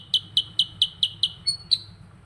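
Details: Sooty-headed bulbul, called kutilang sutra, delivering a short burst of ngerol song: six quick clipped chirps, one thin level whistle, then a final chirp, with a low hum behind.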